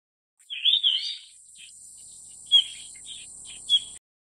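A Yellow-rumped Flycatcher gives a burst of high, tumbling chirps, then a few short sharp notes at intervals, over a steady faint high hiss.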